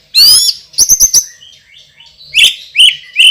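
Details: Champion white-rumped shama with a loud, strong voice and a fiery repertoire: a rising buzzy whistled phrase, then a quick burst of four sharp high notes, followed by softer sliding whistles and two bright accented calls.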